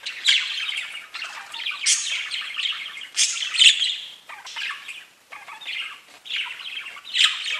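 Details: Pet budgies chirping: dense, scratchy warbling chatter with bright squeaky notes, coming in bursts of about one second separated by brief dips, with no other sounds apparent.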